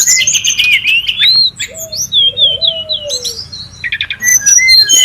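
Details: Brown-chested jungle flycatcher calling noisily in the wild, recorded as a lure and tutor sound: varied high whistled phrases and chirps over soft, low, drawn-out whistles that slowly fall, ending in quick twittering notes.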